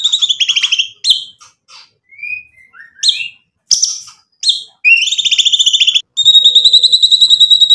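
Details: White-rumped shama in full song as a lure to make other birds answer: clear rippling trills, short isolated whistles and high rattling bursts, closing with a rapid, even trill.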